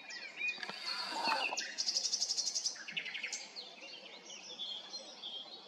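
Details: Nightingale in song near Arcais, France. Whistles and chirps give way to a fast, evenly repeated high rattle, then a run of lower pulsed notes and soft fading whistles over steady low background noise.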